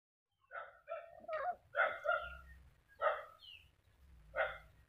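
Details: A black-capped lory from Papua gives harsh, nasal squawks in short bursts, about seven over five seconds, some doubled, with a low rumble underneath.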